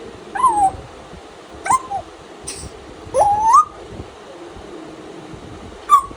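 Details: Tame pet African grey parrot welcoming the morning with playful mimicry: short whistled notes that slide and bend, some rising sharply, in four separated bursts over a few seconds, with a low steady background hum.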